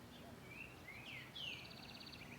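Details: A male green-winged saltator (Saltator similis) sings in the morning, giving a short phrase of slurred whistles and then a rapid buzzy trill, over a steady low background hiss.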